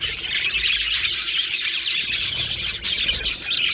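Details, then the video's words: Flock of budgerigars in a colony aviary, July 2025, keeping up a steady high chatter of rapid chirps and thin whistled notes layered over one another. "Beautiful Budgies Birds Chirping Sounds"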